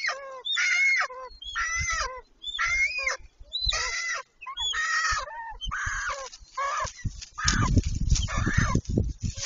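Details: Golden eagles, male and female, mating on their nest on 26 March 2023: a steady series of loud, harmonic yelping calls about once a second, ending in heavy rustling and wing noise.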